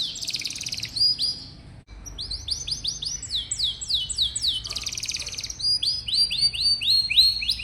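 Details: Canary song meant to stimulate young, rarely singing canaries: buzzy trills and chains of quick downslurred whistles, a short break, then more rapid rolling phrases.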